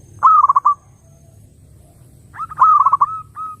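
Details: Zebra dove song played to draw in other doves. Two loud, bubbling phrases, each a rising coo broken into rapid pulses, are separated by near quiet and followed by one soft coo.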